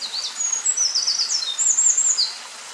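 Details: Eurasian wren singing, filmed close up on 19 May 2012: a rapid, very high run of sharp trills and twittering whistles, continuous and tumbling, over steady background hiss.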